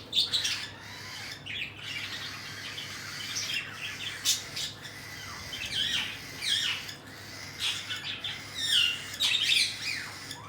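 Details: Cockatiel chicks being fed by their parents, giving harsh, raspy, buzzing begging bursts in quick irregular runs, some notes sweeping downward, over a steady low hum.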